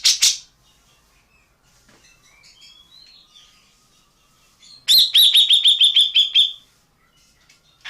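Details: Champion tengkek buto (collared kingfisher) or cucak jenggot (grey-cheeked bulbul) used as a tutoring recording: an opening sharp burst, faint thin whistles, then a loud rapid run of high chattering notes lasting about a second and a half.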